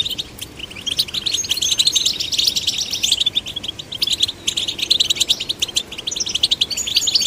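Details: Sustained bright twittering from goldfinch chicks of both sexes encouraged to sing, with rapid liquid notes and chirps tumbling together in a continuous high jingle.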